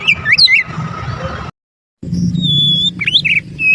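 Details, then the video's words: Oriental magpie-robin (kacer) lure song: quick twisting whistles, then an abrupt silent break, followed by a long steady high whistle and a few sharp rising notes. "suara burung Kacer...kicau pikat terbaik...||suara pikat Kacer ||pancingan kacer"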